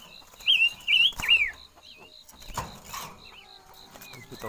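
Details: Red-faced liocichla decoy singing a few loud wavering whistled phrases, then softer scattered notes, against a steady high pulsing insect trill and faint rustling.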